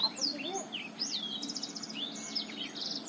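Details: Black-throated canary from Botswana singing a lure song for stimulating quiet males: high sweeping whistles, fast rattling buzzy trills and rising slurs in a lively, unbroken sequence.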